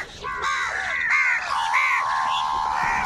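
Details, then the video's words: Angry crow calling loudly during a fight over food: one long, drawn-out, harsh caw that wavers and sags in pitch, followed by further rasping caws running almost without a break. "Crow Sound Crow ki Awaz Loudly | Crow bird Fight for Food | Angry kauwa ki awaaz"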